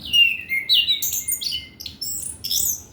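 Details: Loud, close orange-headed thrush song for coaxing young untrained males: strong downslurred whistles followed by a fast chattering jumble of very high, squeaky notes in rapid succession.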